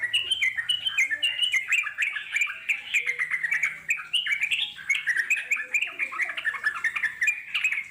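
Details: Wild trucuk singing continuously in a natural setting, a dense run of short chirpy notes stepping up and down in quick succession, with overlapping birds answering and a faint low hum underneath.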